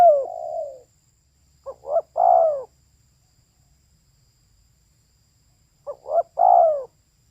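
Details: Cooing of a female spotted dove. One drawn-out falling coo, then a pause before two phrases of quick short notes ending in a longer, mellow, downward-bending coo. Long quiet gap between them.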